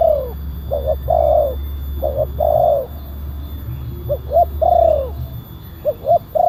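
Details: Loud cooing from a spotted dove used to call and lure wild doves: repeated phrases of short clipped notes ending in a long, slightly falling coo, steady and rhythmic, with a low electrical hum that stops near the end.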